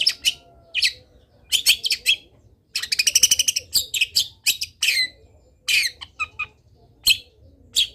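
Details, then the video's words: Lively Long-tailed shrike song packed with varied fill phrases, used as a tutor for other shrikes: scratchy chirps, a fast buzzy rattle, and sharp downslurred whistles in quick succession. "CENDET GACOR BIKIN BURUNG CENDET LAIN IKUT BUNYI - MASTERAN CENDET GACOR FULL ISIAN"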